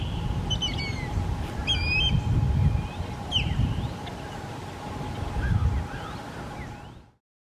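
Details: Osprey calling in Florida, caught on a compact camera while traveling: a few clipped whistles, then scattered sharp upslurred chirps and softer distant notes, against low rumbling noise and a constant faint hum before the sound cuts out.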